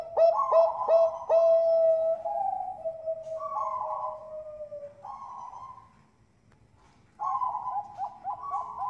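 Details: Bangkok-type zebra dove song used as a lure to set other birds singing: three sharp clipped notes, a long sustained falling coo, then bursts of rolling coos after a short silence.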